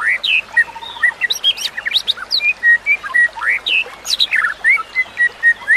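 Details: Training song of a white-rumped shama: rapid sequence of about four notes a second, rising whistles, flat clear tones and bursts of very high clicky chips, with a faint steady background rush like flowing water.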